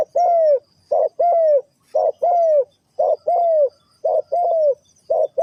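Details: Spotted dove in the '3 kuk hoi' calling style, clean mellow coos in short-then-long pairs, the longer note bending downward, repeated about once a second with near silence between.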